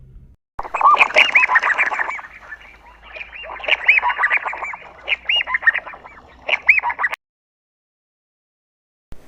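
Double-banded Sandgrouse giving a dense, bubbly chorus of rapid, chuckling mid-pitched calls for about six seconds, ending abruptly in silence.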